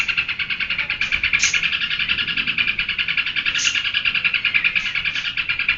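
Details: Rapid geberan chattering from a sooty-headed bulbul, with bright repeated notes about three per second and two or three higher whistled notes rising above the steady stream.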